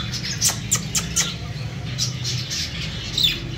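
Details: A breeding pair of king cockatiels; a series of short, harsh squawks repeated about every quarter second at first, then more spaced, with a steady low hum underneath.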